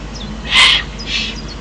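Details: Eurasian eagle-owl recorded in the Eifel on 28 June 2012: two short, harsh, breathy hissing bursts, the first louder and about a third of a second long, the second softer about half a second later, over faint background hiss.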